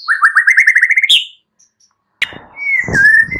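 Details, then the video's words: White-rumped shama morning song meant to trigger silent birds, opening with a quick rising series of about ten repeated whistled notes, a sharp high note, silence, then a long drawn whistle with faint low noise. "Pancingan murai batu PAGI HARI, ubah BISU jadi respon Gacor"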